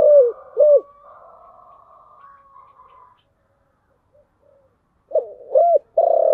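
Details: Spotted dove cooing, thổ voice, chiêu gù style: two short hollow coos at the start, a faint low hum, then after a quiet spell a fresh phrase begins with arching coos and a sustained note.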